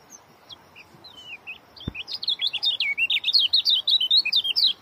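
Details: Fast high twittering song of an Oriental white-eye, spaced chirps quickening into a dense, rapid series of slurred notes, with one sharp click in the middle.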